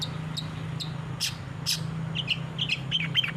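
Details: Long-tailed shrike training song for captive birds: faint scattered chirps, two louder raspy bursts, then a run of quick whistled notes toward the end, under a constant low hum.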